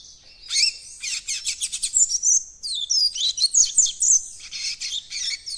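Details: Young caged White-throated Seedeater starting to develop its tutored encarte song: a dense run of rapid, high twittering notes and buzzy trills, with brief short phrases repeated several times a second and small pauses between bursts.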